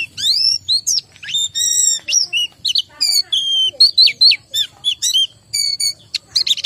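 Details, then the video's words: White-eye (pleci) kept as a cage bird, described as low in breeding condition or not in full song; high thin whistled notes and rapid varied phrases with sliding twitters, dense chattering bursts throughout. "BEGINILAH BUNYI PLECI KURANG BIRAHI atau KURANG KENCENG"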